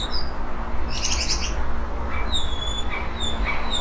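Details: A Eurasian blackbird that has nested twice in a Portuguese yard sings a rare low-volume song at the end of the day about 5 m away: thin, high whistles, a brief chattering burst, short falling imitative phrases, over a steady low rumble.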